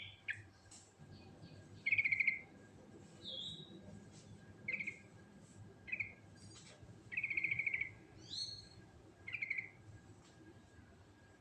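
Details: Sooty-headed bulbul singing naturally in a rolling style with varied phrases: scattered short whistled notes, some buzzy and slurred, spaced one to two seconds apart over steady low hum.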